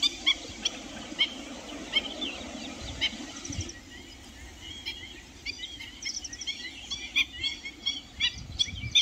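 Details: Black-winged stilts in Jharkhand, India, give sharp, high, yapping notes in quick irregular bursts, several voices overlapping, over steady background hiss.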